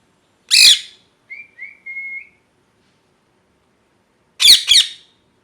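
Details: Pet parrot losing its feathers to molting: one harsh squawk, a run of soft wavering whistles, a pause, then a loud double squawk.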